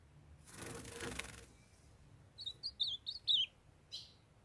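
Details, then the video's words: Wing flapping rushes first, then a young male ultramarine grosbeak, kept with a calling female, sings six or seven high, curling whistles, ending in a soft chip. "MINHA FÊMEA DE AZULÃO CHAMANDO PARA ESQUENTAR🔥MEU AZULÃO JOVEM CANTANDO"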